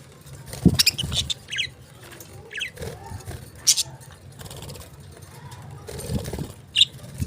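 A lovebird gives scattered sharp, high chirps, some in quick doubled bursts, over soft scuffling, tapping and a wing flutter.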